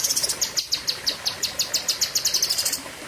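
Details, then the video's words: Cucak kinoi giving sharp, high, ringing notes that repeat steadily about five times a second. Toward the end the notes speed up into a faster trill. "Tembakan Ngeri Cucak Kinoi (Pedes Panjang)"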